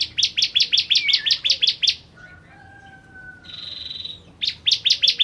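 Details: Bar-winged prinia (ciblek), 'kristal' type, used to teach other songbirds: long runs of rapid, sharp chipping notes at about four per second, broken by a pause with a faint drawn-out whistle and a thin buzzy tone, then chipping resumes.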